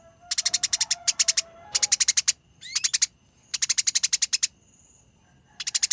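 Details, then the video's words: Fighting Eurasian tree sparrow giving long, rapid, clear chatter: bursts of harsh chirps at a steady fast pace, separated by brief pauses, with a faint thin whistle and a short rising note in between. "Masteran Gereja Tarung Konslet Gacor Ngerol Nyerecet Rapat Panjang Suara Jernih"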